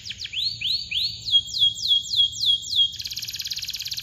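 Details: Canary chirps used to coax quiet birds into song: rising whistled notes, then downward-sweeping chirps over a held high tone, ending in a fast buzzy trill.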